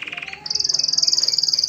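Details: Canary song to stimulate females to mate: a short fast pulsed trill that jumps abruptly to a much higher, piercing rattling trill repeated many times per second.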